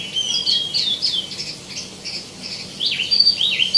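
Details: Tieumi (wambi mini) in lively full song rich in inserted phrases: rapid scratchy chirps and short rising and falling whistled notes tumbling over each other, loudest near the end, with a steady low background hum.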